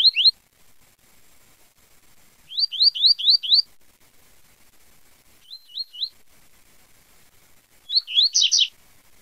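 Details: Tui tui zel zel song of a double-collared seedeater: bursts of four to five sharply rising whistled notes, a softer set of three level notes, then a burry, buzzy closing phrase, all high and clean.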